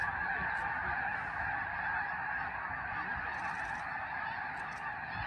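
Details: Snow geese wintering in huge flocks at refuges on the California–Oregon border near Tule Lake: an unbroken wall of yelping, honking calls from countless birds, steady throughout.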